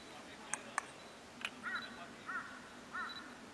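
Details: Collared bush robin calling: three short arched, down-slurred notes spaced about two-thirds of a second apart, preceded by a few sharp clicks over a quiet background.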